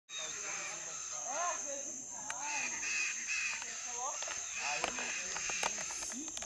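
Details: Chestnut-fronted macaws gathering in the evening to roost for the night near Rio Branco, southwestern Brazilian Amazon: many overlapping harsh, arched squawks from several birds, with a steady high insect whine and scattered clicks.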